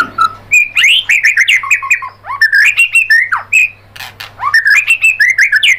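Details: Varied White-rumped shama song played to prompt other birds to sing: a short low note, then a long stream of fluty, rising and falling whistles and chatters broken by brief pauses.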